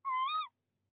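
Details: Nest-box tawny owl in De Mortel, February 2021 breeding season, during the male's prey delivery to the female. A single clear, hoarse call lasts about half a second and rises slightly before cutting off.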